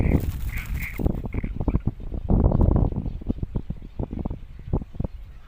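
Great cormorant chicks give about five short, nasal, squealing notes in quick succession, then the calls give way to low rustling and knocking sounds.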